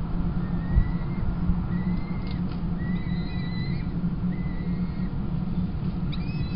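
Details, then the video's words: Peregrine falcon chicks being fed at their Kingston College nest on 28 April 2021, female replacing the tiercel; faint, thin rising whistles repeated about every second, then a short harmonic call, above a steady low hum. "Kingston College Peregrine Chicks Feed 28-04-21"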